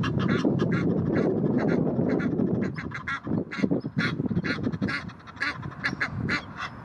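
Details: Egyptian geese aggressively defending territory near the Blies, Ludwigshafen am Rhein; rapid, irregular clusters of coarse honking calls, busy at first, then sparser and more spaced out, with low rumbling noise behind.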